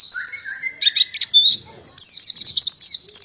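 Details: Buxton's white-eye singing canary-style tembakan. Scratchy high chatter gives way to a clear run of rapid, sharply falling whistled notes repeated several times in quick succession.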